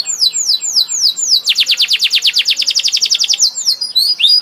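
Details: Canary in energetic full song: high descending whistled slurs repeated, then a fast rattling trill of rapid downward notes, closing with more sweeping whistles.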